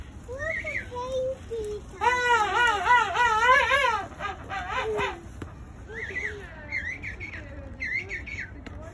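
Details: A young king penguin chick at the Calgary Zoo gives wavering, warbling whistles, with a rapid burst of rising-and-falling notes in the middle, while a child talks in the background.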